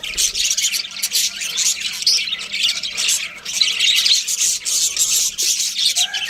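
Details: Continuous raspy squawking and chirping from budgerigars, a thick high-pitched chatter with barely any gaps over six seconds.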